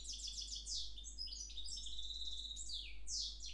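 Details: Song of a mule bred from a parva goldfinch and a Timbrado canary, 10 February 2011: continuous rapid high twitters, buzzy trills and sliding notes with hardly a pause, over a faint low hum.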